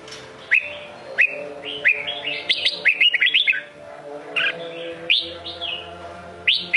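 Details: Sông Kôn style singing by a Red-whiskered bulbul: mellow whistled notes sliding up and down, strung into quick warbling sequences and isolated rising calls, with occasional clicks and low hum behind.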